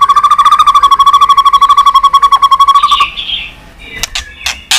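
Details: White-rumped shama singing in many voices, used for stimulating and training birds. A rapid steady trill of repeated notes fades into a soft higher warble, followed by sharp clicking sounds near the end.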